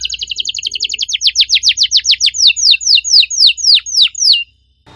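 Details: Canary singing a rolling trill that slows into loud, evenly spaced downslurred whistles about four per second, then falls silent.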